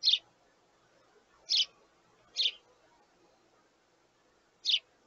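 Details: Begging sparrow chicks calling to their parents for food; four loud, high, scratchy chirps come at irregular spacing, two close together in the middle, with soft hum behind.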